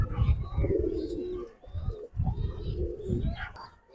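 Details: A collection of Giribaz pigeons. Deep, bubbling coos come in loud surges, pause briefly, then resume in rolling, overlapping phrases with heavy low rumble.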